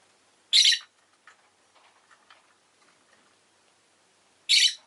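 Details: Two loud, harsh, buzzing squawks from a pet rosy-faced lovebird, about four seconds apart. Each lasts a quarter second and is high and scratchy. Soft, faint chatter comes between them.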